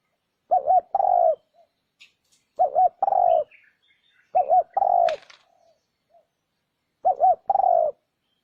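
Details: Spotted dove cooing used as a lure for wild doves. Four phrases, each a pair of quick rolling notes and a longer sliding coo, with light high chirps and a brief flutter between them.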